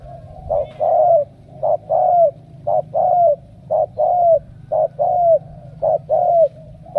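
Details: Cooing of a spotted dove from Cà Mau, a steady run of paired low notes, short then drawn-out and falling, coming about once a second for several seconds, with quiet background rumble.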